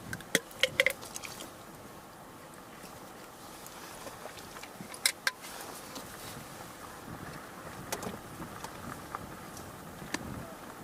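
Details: Three American crows seen on 3 April 2021, with ring-necked ducks nearby, give a few short, hoarse caws in a quick cluster near the start, with one more later, over steady traffic rumble and wind.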